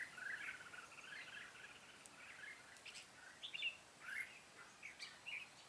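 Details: Red-whiskered bulbul at a trapping site, 13 March 2017: a rapid warbled phrase at the start, then scattered short chirpy whistles against steady outdoor hiss.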